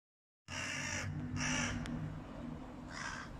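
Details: Hooded crows from a flock battling a stray cat give three harsh, broadband caws, each about half a second long and unevenly spaced, over a steady low hum.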